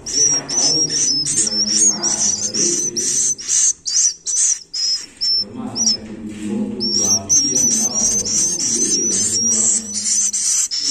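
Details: High, thin chirps from swiftlet chicks repeat rapidly, pausing briefly near the middle before resuming. Warm, low murmuring sounds run beneath for much of the recording.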